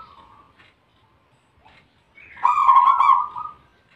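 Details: Bangkok zebra dove: faint, wavering coo notes, then one loud, rolling, burry coo that fades away at the end.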